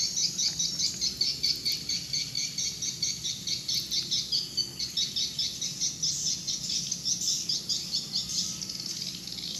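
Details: Evening swiftlet activity outside a swiftlet house before the birds go in: rapid high chirps pulse roughly twice a second in a busy overlapping chorus, over a constant high hiss.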